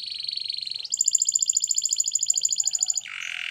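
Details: Spanish Timbrado canary in training song, delivering a rapid trill that steps up to a higher, ringing, evenly pulsed trill, then drops into a brief lower buzzy phrase; very clean, quiet background.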